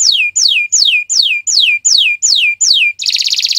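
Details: Friday-morning canary producing eight loud sweeping whistles that fall steeply in pitch, spaced about every 0.4 seconds, then breaking into a dense rapid trill.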